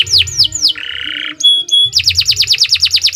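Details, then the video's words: Short canary phrase: three downslurred whistles, a harsh buzzy roll, two pure high piping notes, then a quick run of loud repeated falling notes. "Suara Burung Kenari II GACOR PANJANG"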